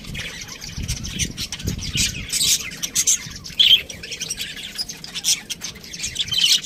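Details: Budgerigars chirping and squawking in an irregular chorus, short bright notes and buzzy chatter rising and falling, with some low rumbling noise underneath.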